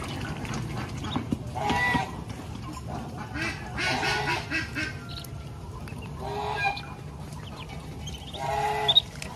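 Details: Mother duck leading her ducklings to feed on a rural farm; harsh, broad quacks come in scattered bursts about every two seconds over steady low rumble, with faint high peeps between.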